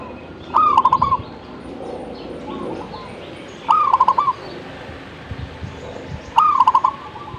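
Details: Zebra dove in active song: three repeated phrases about three seconds apart, each a rising coo then a quick bubbling series of short notes, over soft background noise.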